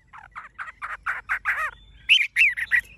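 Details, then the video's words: Tame Chinese hwamei with deep yellow legs, bill and plumage, singing tirelessly: a fast run of rhythmic, burry mid-pitched notes, about four per second, then louder, sharper whistled phrases near the end. "Họa mi thuần đét chân mỏ lông lá vàng ươm - Hót như máy"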